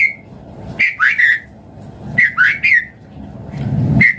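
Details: White-rumped shama song used as a lure to get other birds singing: short bursts of clear whistled notes with quick slurred phrases, separated by pauses, over a low background hum.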